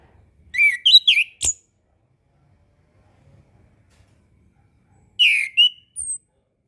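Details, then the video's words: Orange-headed thrush song used as a master recording for young birds learning to sing and birds reluctant to sing after moulting: two bursts of rich, varied whistled phrases separated by a long silent gap. "MASTERAN SUARA ANIS KEMBANG KHUSUS UNTUK ANIS KEMBANG BARU BELAJAR BUNYI DAN KURANG BIRAHI"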